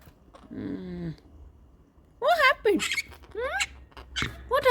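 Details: Pet monk (Quaker) parakeets shouting in fear at four cats on the windowsill: loud, harsh squawks, each bending sharply up and down, in a burst of about five, while a person talks softly nearby.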